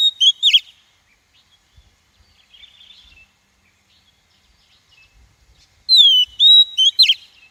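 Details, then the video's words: Female Oriental magpie-robin calling as a decoy to stimulate and catch wild males: the tail of one phrase, soft faint twitters, then a full phrase of falling whistle, level whistle and quick buzzy notes. "Tiếng chim Chòe than mái kích bổi, luyện giọng bổi, bẫy chòe"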